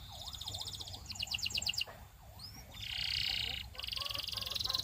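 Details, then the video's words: Belgian canary singing rapid high trills of repeated notes, broken by a brief upward whistle and a buzzy rolling phrase; softer low swooping sounds run beneath the first part. "DO THIS And Your BELGIAN CANARY Will SING A LOT!"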